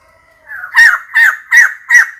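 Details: Female white-crested laughingthrush calling to attract a mate: four quick, emphatic downward-slurred notes in a fast even series, following a faint rising lead-in.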